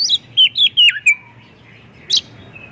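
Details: Oriental magpie-robin lure song meant to prompt other magpie-robins to sing: four quick, loud, whistled notes that each slide downward, followed by a softer trailing warble and one sharp high chip.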